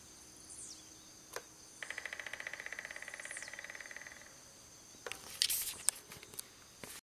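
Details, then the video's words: A Crimson-crested Woodpecker (Campephilus melanoleucos) gives a fast, even rattle of about twenty notes over two seconds, with thin falling whistles from another bird, a steady insect hum and rustling. "Pica-pau-de-topete-vermelho - Campephilus melanoleucos- Red-crowned Woodpecker"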